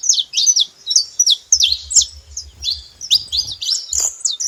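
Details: Sharp, high-pitched saffron finch chirps in rapid clusters of two to four notes, with a low pulsing mechanical hum in the background.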